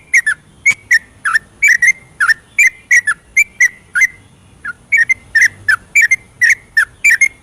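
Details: Rapid ropelan song of a yellow-vented bulbul at night, played to stimulate reluctant bulbuls: a steady run of short liquid whistles, each dipping and rising, about two to three per second with one brief gap.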